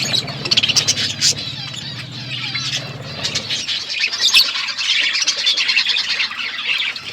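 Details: Several budgerigars chirping on a winter morning: continuous high twittering and squawky warbles, with a low mechanical hum under the first three seconds.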